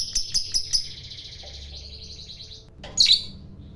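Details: Lovebird fighter in ngekek mode, the long chatter said to rile other lovebirds: a few quick harsh chirps, then a brief buzzy high trill, ending in one loud squawk.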